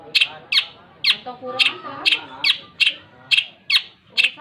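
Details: Long-tailed shrike in vigorous song, repeating short, harsh, squawking notes roughly every half second in a steady series, with faint murmuring in the background.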